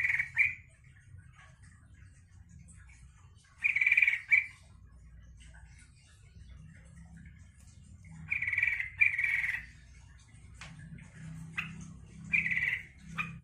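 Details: Yellow-vented bulbul song meant to provoke other bulbuls to reply and sing: short bubbly, gurgling phrases of about half a second, repeated after pauses of several seconds, with faint low hum beneath.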